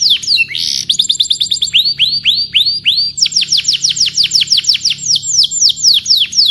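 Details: Varied canary song: quick chips, a short harsh buzz, a row of rising upslurred whistles, then a long series of rapid falling whistled notes.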